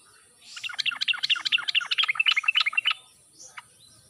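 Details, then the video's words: Yellow-vented bulbul singing in a wild, forest style, used to draw a response from silent birds; a lively, rapid string of bubbly warbled notes lasting about two and a half seconds, then one brief note. "trucuk mandek/malas bunyi langsung nyaut mendengar pancingan trucuk khas suara ngalas ini"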